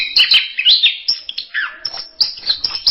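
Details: Orange-headed thrush, one of several songs gathered as a masteran tutor recording: quick bright chirps and a twisting whistled phrase that slides downward, then scattered sharp high notes.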